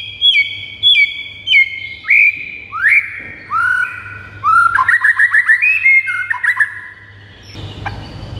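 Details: Recording of white-rumped shama song used to provoke pet birds into singing: a string of clear whistles that step down in pitch, then a quick stuttering trill of slurred notes, ending in a short noisy burst, over a steady low hum.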